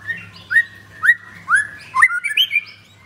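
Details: White-rumped shama of the Blorok type, leg-ringed, kept at a bird kiosk in Kemayoran, Jakarta, singing loud clear whistled notes that each sweep upward, about two per second, ending in a quicker run of higher whistles; faint steady low hum behind.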